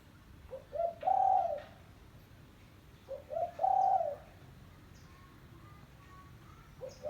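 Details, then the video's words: Spotted dove call for luring doves: two low cooing phrases about three seconds apart, each a couple of brief notes then a long steady coo, with faint whistles of other birds between them. "Suara Burung Tekukur Kampung - Suara Panggilan Pikat Terkukur"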